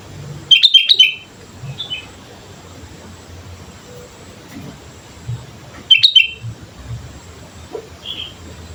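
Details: Lively sooty-headed bulbul song used as a lure for bird training: two quick bursts of three or four cheerful, slurred chirps about five seconds apart, with a few faint notes between over low background noise.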